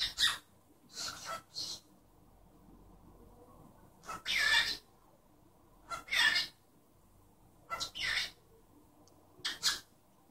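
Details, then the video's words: Cockatiel at home imitating its owner's sneeze: paired and single noisy hissing bursts, some with a faint whistled edge, repeated every second or two over a low background hum. "Calopsita falando e espirrando"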